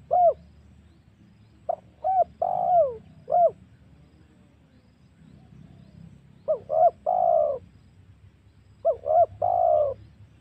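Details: Lure cooing of a spotted dove, meant to draw in wild doves for hunting at home or in forest. Three phrases of quick short coos, each closing with a drawn-out descending note over faint low hum.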